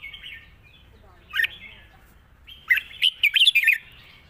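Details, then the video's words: A Red-whiskered bulbul that sings easily gives a soft opening note, then a short phrase, then a quick run of five bubbly, rolling whistled notes. The long-song style includes trills. "ปากเบา+ร้องง่าย เพลงยาวมีริก"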